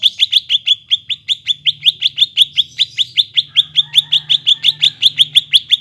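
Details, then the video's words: Greater green leafbird song, used to rouse a silent leafbird into singing again: a fast, steady series of bright, sharp chirps, about three per second, with a faint low hum beneath. "PANCINGAN BURUNG CUCAK IJO YANG MALES BUNYI,MACET BUNYI AGAR GACOR KEMBALI"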